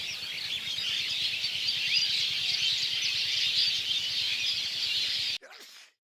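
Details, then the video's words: A flock of sparrows gathers on electric wires in a village in rural Bangladesh one afternoon. Continuous high twittering chirps overlap into a busy chorus, then cut off abruptly near the end. "Sparrow Chirping Sound"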